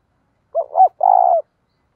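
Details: ['Lure spotted dove calling to attract wild doves: a brief two-part coo rising to a peak, then a sustained rolling coo ending in a slight downward slide, then silence.']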